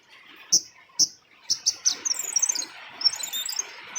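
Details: Lure call of a female flowerpecker (cabai rimba): five crisp, high ticks in the first two seconds, followed by a rapid, thin, high twittering chatter.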